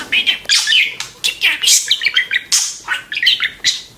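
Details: Pet budgerigar described as talking, giving a rapid run of chattering warbles, clicks and squeaky notes in quick bursts about every quarter second, sounding busy and scratchy throughout.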